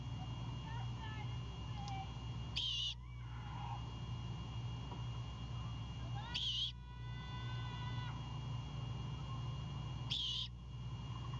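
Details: Great horned owl owlet on a Savannah nest at night, 26 March 2022, after its father arrives with a bird. Three rasping, breathy bursts about four seconds apart, with faint tonal calls between them over a constant low drone.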